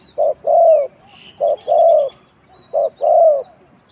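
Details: Three close, evenly spaced spotted dove coo phrases from Thailand, each a short low note then a longer rounded coo, with faint high chirps from other small birds behind.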